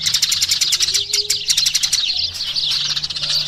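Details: Eurasian tree sparrows chattering in a dense, continuous stream of short, bright chirps, several notes per second overlapping into a busy chorus, with a faint low hum underneath.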